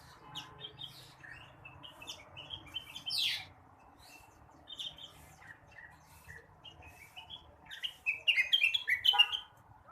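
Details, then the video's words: Blue-winged leafbird singing in the morning, meant to stimulate other birds: a lively, varied medley of quick chirps, a loud downward-swept note, then a dense, rapid burst of twittering at the close. "kicauan rengganis atau cucak wilis di pagi hari. cocok buat merangsang burung bahan"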